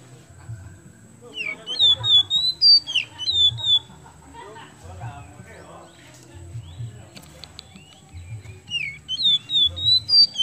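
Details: Oriental magpie-robin of the kemben type in vigorous song used to spur other birds; clear sweeping whistles and chips in a burst near the start and again at the end, with softer cluttered sounds between.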